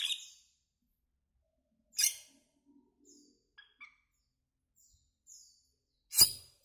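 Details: Asian glossy starling producing loud, harsh, high chirps at the start, after two seconds and near the end, with soft short notes between.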